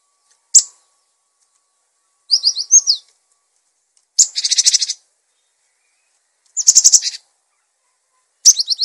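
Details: Energetic cinereous tit, used as a tutor and lure for other birds, mixes single sharp high chips, paired slurred whistles and dense buzzy rattling bursts, each phrase separated by roughly one to two seconds of quiet.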